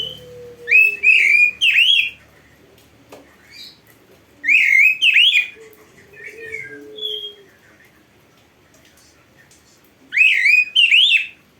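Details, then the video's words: Oriental magpie-robin training song: three loud bursts of quick, harsh twittering whistles separated by quieter gaps with short single whistles, a faint low tone underneath. "MASTERAN KACER GACOR FULL ISIAN !! - Masteran Burung Kacer yang cocok untuk Latihan"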